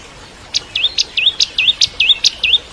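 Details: Bar-winged prinia, crystal type, alternates a sharp high chip with a swooping downward-then-up whistled note, repeated about five times in two seconds. It is used to teach song to magpie-robins.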